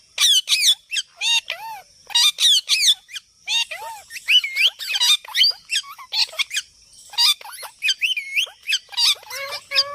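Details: Pet parrot talking in its natural voice; bursts of squeaky, high-pitched phrases that sweep up and down, delivered in short clustered syllables with brief pauses between.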